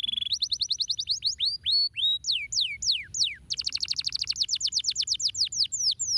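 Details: Canary in full stimulating song: a held whistled tone, then rising and falling slurred notes, followed by a long, rapid, evenly repeated trill of bright chips.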